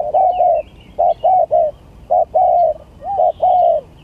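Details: Spotted dove at a song contest, gagap tindan versus klantan: deep rounded coos, a long slurred note followed by clipped doubled notes and another long phrase, with soft chirps of other birds in the background.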